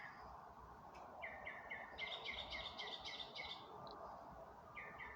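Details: Birds singing in the dark of night on May 27, 2025: rapid series of clear repeated notes, several per second, in bursts with short pauses, over a low steady background hum.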